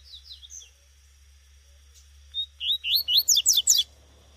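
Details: Double-collared seedeater, a female, in the wild. Soft twittering leads into an accelerating run of about eight loud, high, rising chip notes.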